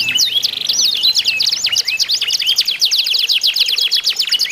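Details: Canary song from a singing contest to spur other canaries: a brief steady whistle opens, then fast high trills and sweeping slurs from several birds crowd together.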